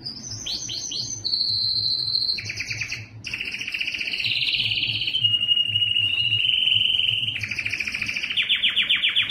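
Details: Belgian canary song with varied phrases: quick descending sweeps, a held whistled note, rolling trills shifting in pitch, a long smooth whistle, and a final fast buzzy trill; faint low hum in the background.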